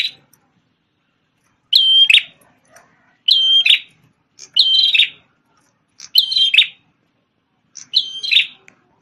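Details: Red-headed prenjak tamu prinia, described as a constant-singing champion once used as a tutor bird for white-rumped shamas, gives five short phrases about every 1.6 seconds: a clear level whistle followed by a buzzy chattering burst.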